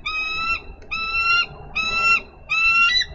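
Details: Female bald eagle on a Minnesota nest, recorded by nest cam on 3 May 2013, calling her mate to relieve her from nest duty: four drawn-out, clear, piercing notes about two-thirds of a second apart, over faint background hiss.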